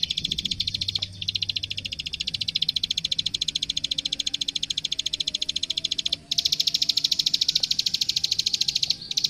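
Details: Plain prinia in energetic training song: long runs of rapid, high, dry clicks, pausing briefly near one and six seconds, then resuming at the same fast pace over a low background hum.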